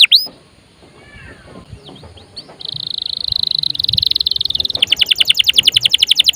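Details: Canary song meant to get other birds singing: a few soft notes, then a long high buzzing trill and a fast run of repeated sweeping notes.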